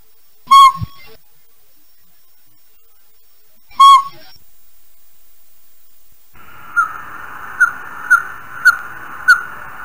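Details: Northern Pygmy-Owl, the smallest owl in Idaho, giving two clear, whistled single toots about three seconds apart, then a faster run of similar toots over a steady hiss.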